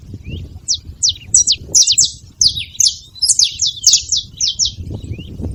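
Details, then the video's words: Free saffron finches being fed at a baiting spot, calling noisily: a run of crisp, high, steeply falling chirps that crowd together mid-clip, with a faint low murmur of background noise underneath. "Canarinhos fazendo barulho na seva"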